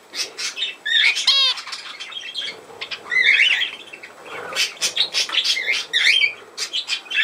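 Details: Budgerigars filmed on 17 November 2024 give a ringing chirp run, then soft and loud waves of twittering, scratchy warbles and short whistled notes, with faint fluttering noises.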